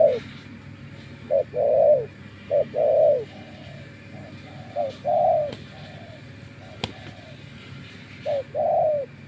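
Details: Spotted dove decoy used for trapping coos in spaced short-long phrases with pauses between them, softer trailing notes in places. A sharp click sounds near the end over a steady low hum.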